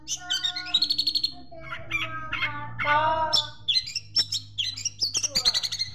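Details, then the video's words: Master song of a Long-tailed Shrike, used to train birds, carrying sparrow imitations: quick chirps, a drawn-out buzzy trill, then harsher squawking notes and sharp clicks, over a faint low hum. "Masteran Cendet Isian Greja Mewah"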